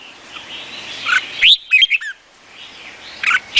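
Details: Red-whiskered bulbul, Vietnamese type. A soft warble leads into a loud rising whistle and a few quick slurred notes, followed by a quiet pause and a brief chirp near the end.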